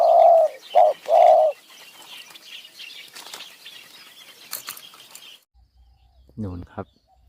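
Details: A spotted dove near a decoy set out in high mountain forest to lure a wild bird. It opens with three loud, round coo notes, then a quieter stretch of forest hiss and faint calls, with a brief low murmur near the end.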